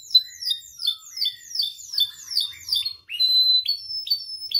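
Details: Canary singing on a training and provoking recording: a quick series of downslurred chirps, about four a second, then clear whistled notes that step upward, bright and high.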